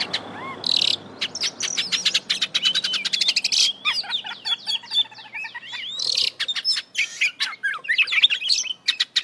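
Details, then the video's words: Oriental magpie-robin (kacer), kept in a cage, in a gacor full isian song packed with varied mimicked phrases: rising whistles, rapid dry clicks and chips, buzzy bursts and looping slurred notes, delivered almost without pause. "Kacer Gacor Full Isian"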